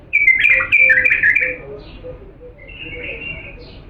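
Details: Authentic Diyala bulbul song from Iraq for training young birds: a loud, tumbling run of fluty whistles and sharp slurred notes, fading into a quieter sustained warble, with faint low chirps in the background.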